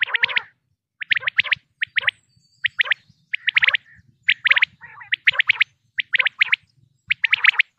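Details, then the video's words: Pakistani batair, or common quail, giving repeated groups of three or four rapid, sharp high notes, with occasional lower growling notes and a faint low hum behind. "quail sounds 2023|batair ki awaz 2023|pakistani batair|top sounds of batair"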